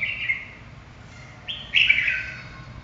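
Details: Red-whiskered bulbul giving a short song: a thin, slightly falling whistle, a pause, then a louder bright phrase with a sharp upward step and a downward-sliding trill, over low background hum.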